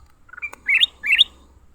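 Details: Leafbird in a fight: two loud, rising chirped phrases sliding from mid to high pitch, each about a quarter second, preceded by softer stepped notes and a single sharp click.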